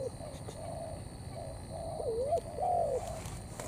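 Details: Spotted dove singing thổ mixed with cấn sấm. Soft even coos lead into a clearer wavering note and a long falling coo, set against a low rumble and a high electrical whine.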